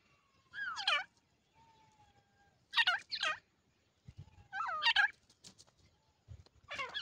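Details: Calls of grey francolin chicks: repeated short raspy, chattering bursts, some doubled, with a thin drawn-out whistled tone between them and faint background rumble.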